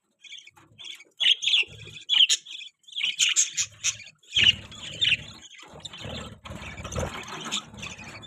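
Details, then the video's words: Newborn budgerigar chicks chirping in quick, scratchy high bursts, several callers overlapping in dense chatter, with some low rustling thumps in the second half. "Budgie Chirping Sound | Budgie New Born Baby"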